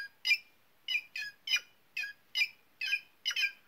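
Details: White-naped jay giving loud, harsh, buzzy squawks, about nine notes in 3.7 seconds, some single and some in quick pairs, evenly spaced against a quiet background.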